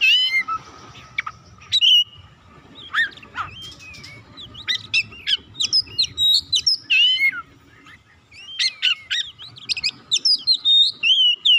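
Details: Oriental magpie-robin song for provoking silent birds into song: a long, lively run of rapid chirps and sweet whistles in dense bursts, pausing briefly midway, over a quiet hum.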